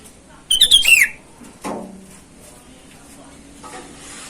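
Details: A sooty-headed bulbul calls to rivals outdoors, a lure call for wild birds. One short phrase of chirpy whistles dropping in pitch at its close is followed by a low scraping sound and faint background hum.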